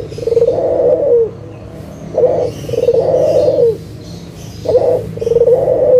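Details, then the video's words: Lure recording of an energetic local Barbary dove meant to get silent doves calling: repeated two-part coos, a short note then a long purring, rumbling coo, about every two and a half seconds, low hum underneath. "SUARA PIKAT PUTER LOKAL GACOR_SUARA PANCINGAN BURUNG PUTER MALAS BUNYI AGAR BUNYI LAGI"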